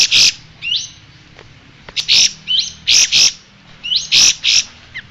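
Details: Striated grassbird song recorded for training cage songbirds: short upslurred whistles followed by sharp loud chirp bursts, repeated roughly every second over a soft hum.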